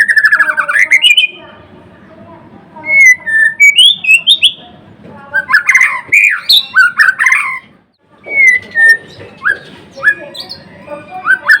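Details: White-rumped shama kept in a cage, known as murai batu or murai blorok, delivering a long energetic song of mixed rich whistles, squawky chatter and fast trills, broken by short silences and ending in scattered sharp notes.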